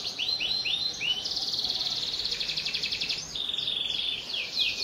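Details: Singing canary used to coax young birds into song: short rising whistled notes, a long fast trill, then a rolling rattle and several downslurred phrases, all high-pitched.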